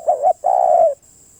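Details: Spotted dove cooing: a wavering two-part coo, a brief gap, then one sustained, slightly falling croon at a mellow low pitch. A faint high steady hum sits behind the bird.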